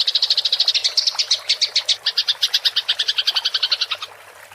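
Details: House sparrow fighting chatter in rolling style, clear and used to train songbirds: quick high chirps that slow slightly and spread out midway, then stop before the end, leaving quiet.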